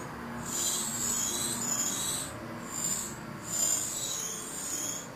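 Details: Great tit nestlings in a nest inside a barbecue, around feeding time, give high, hissing, raspy begging bursts, four or five surges each lasting about a second, with no other clear sounds.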